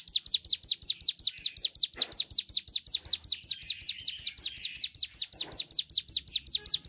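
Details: A Javan tesia in full voice, recorded as a prompt for other birds. It delivers a tight, regular sequence of thin, high descending notes, several per second, with faint scratchy background sounds.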